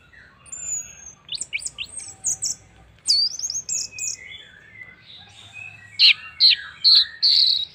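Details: Orange-headed thrush singing a lure song to draw other birds into song: rapid mixed twitters, thin high whistles and buzzy chirps in fast clusters, ending in loud clipped notes.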